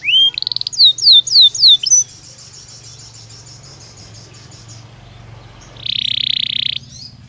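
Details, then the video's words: Belgian canary singing naturally: a quick series of bright rising whistles, then a faint buzzy trill, and finally a loud dry rattling trill, over a low steady hum. "Som de 1 Hora com Canario Belga Cantando Naturalmente"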